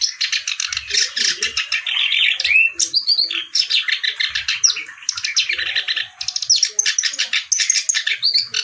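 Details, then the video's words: Energetic reed warbler song, known locally as kerak basi: dense, nonstop harsh chattering and buzzy trills, with a few rising whistled slurs between rapid repeated notes. "BURUNG KERAK BASI GACOR CENGKOK LAGUNYA OK"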